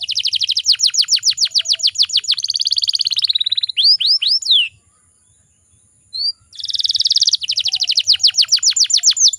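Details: Female canary in breeding condition, calling to provoke males, sings rapid rolling trills of falling whistles and a buzzy phrase. A brief pause follows a few arched notes, then the fast trill resumes.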